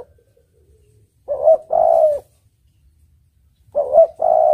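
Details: Spotted dove song used as a lure, two phrases of coos near 600-700, each a short note then a longer drawn coo, separated by a quiet pause of about two seconds.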